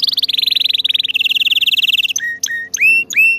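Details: Training song of a canary: a very fast even trill that drops to a lower pitch halfway, then several clear slurred whistles rising and levelling off, each separated by short pauses.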